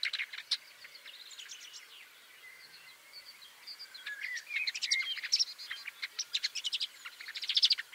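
Woodchat shrike giving a quick, scratchy jumble of high chattering notes and clicks, quiet at first, then louder and faster toward the end.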